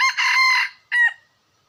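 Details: Red junglefowl call heard as the tail of a crow: a sustained raspy note fading away, then a short sharp final syllable, followed by silence.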